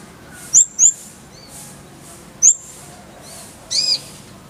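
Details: Van Hasselt's sunbird (kolibri ninja) recorded as a tutor recording, clear voice: four scattered very high, thin chirps and short slurred notes, some rising, spaced irregularly over a quiet background hiss.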